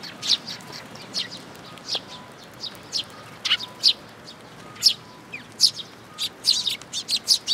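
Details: Sparrows arriving at a feeding place on a shrine bridge railing in June 2022; sparse, quick chirps spaced irregularly, growing busier toward the end, over a faint hum.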